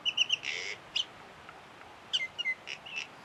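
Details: One wild Common Myna at Kuah, Langkawi, imitating at least four other species: paired high chirps, a harsh rasping burst, then a scatter of clipped whistles and squeaky notes over faint background hiss.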